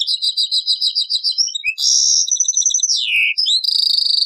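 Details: European goldfinch singing taqsraine style, copied from an old cassette: pulsed high trill, a sustained buzzy twittering passage, a falling whistle, then a rapid ringing trill.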